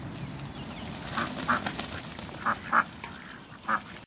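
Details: Muscovy ducks on a farm giving a few low, nasal, clipped quacks, spaced irregularly over four seconds, with soft background noise between them.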